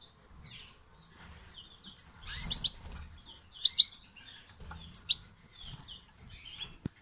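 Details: European goldfinch fledglings producing high, sharp chirps in quick groups of two or three, interspersed with thin twittering notes, about one group every second or so, low fluttering noise in the background.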